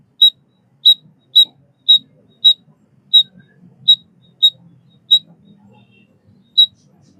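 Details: White-headed munia uttering isolated thin, high chip notes, about two per second with irregular gaps, on a quiet background.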